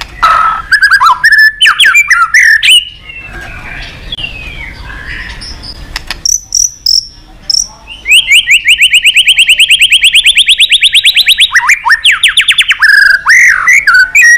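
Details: White-rumped shama singing hard in competitive style for voice training: varied whistled phrases and sharp clicks, a quieter gap, then a long, very fast rattling trill lasting about four seconds, followed by looping whistles.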